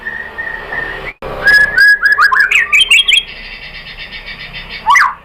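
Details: Lure song of a white-rumped shama, the murai batu, used to make another shama sing: a soft steady whistle, then a loud rapid string of varied chirped phrases and a final swooping note.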